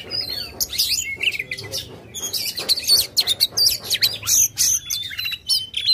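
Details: Oriental magpie-robin singing aggressively with tail open, a lure for a silent bird; loud bursts of sharp, high chirps and whistles in quick succession, with a quieter opening second.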